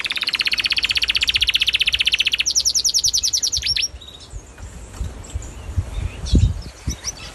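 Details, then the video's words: A canary sings a fast, bright trill of rapid repeated notes, shifting to a higher, quicker phrase before stopping; faint background noises follow. "bird sound"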